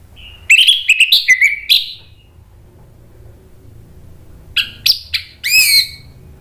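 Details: Orange-headed thrush song serving as a lure for other thrushes to answer: a jumbled phrase of whistles and chirps, a pause of nearly three seconds, then a few sharp notes and a rising slurred whistle.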